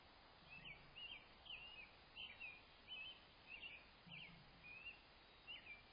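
A red-bellied woodpecker gives short, rolling, chirpy notes about every half second over a steady hiss of background noise.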